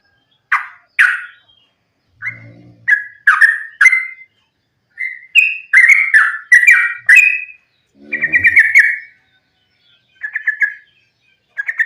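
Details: Sooty-headed bulbul in fighting song, a lure to set other bulbuls singing. Short, bubbly, whistled phrases come in quick succession. There is a brief low rumble and some scratchy noise partway through.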